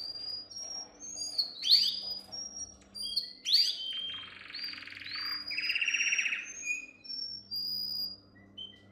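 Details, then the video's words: Canary training song: a canary sings a fast, varied song of high whistles, sweeping notes and rolling buzzy trills, with a faint low hum underneath. "Most powerful song for training Canary"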